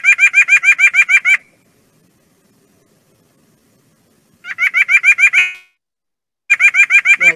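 White-breasted Nuthatch giving quick runs of nasal, horn-like notes, about eight a second, in three short bursts separated by silence.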